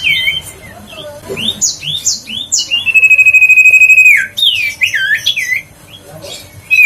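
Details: Lure recording of a huýt cô bird meant to make sluggish birds start singing again: bright upward-sweeping whistles, a long level whistle held about a second, then rapid falling slurred notes.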